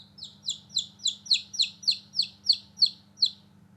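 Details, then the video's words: Chirping of newborn baby chicks playing outside: a steady series of about eleven clear, downward-sliding peeps, roughly three per second, growing louder midway, over a quiet low background hum. "Newborn Baby Chicks Chirping Sound"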